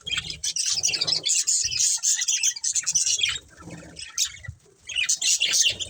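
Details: Budgerigars in a family flock chirp in bursts of high, fizzy warbling chatter broken by short gaps, with soft low thumps and a few clearer whistled notes.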